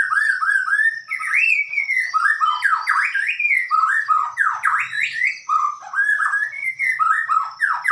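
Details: White-rumped shama (murai batu) singing a loud, continuous run of rich whistled phrases, sliding and looping up and down, some notes buzzy, with a steady high insect-like whine behind throughout.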